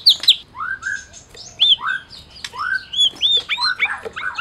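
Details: Medan-type white-rumped shama, a prize-winning bird used to spur mute shamas into song: a varied string of clear whistles, upslurred and arched notes with sharp clicks between them, delivered in uneven bursts.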